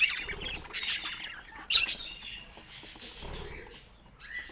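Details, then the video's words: Caged pet budgies chatter with fast scratchy chirps and trills, loud bursts early on, then softer warbling with some low rustling. "Sweet Chirping Sounds"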